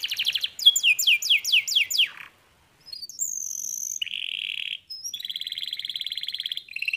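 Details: Canary singing: rapid descending note series, a short pause, then a high whistled tone, a flat buzzy roll and a long even rattling trill repeated quickly, loud and close with no other sounds.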